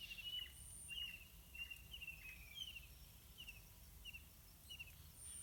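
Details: Yellow-vented bulbuls in a pineapple garden, parents bringing wild fruits and small insects to two hungry chicks; short sharp chirps repeated about every half second, with a thin high tone in the background.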